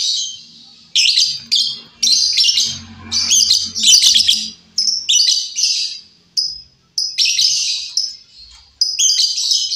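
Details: Wild female lovebird calling as a lure, loud and busy: rapid harsh shrieks and chattering chirps run together in long bursts, broken by short pauses.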